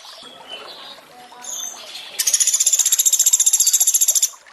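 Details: Training recording of a Sunda pygmy woodpecker with added water sounds. Soft trickling and faint chirps open the recording, then a fast, high, evenly repeated chattering trill runs for about two seconds.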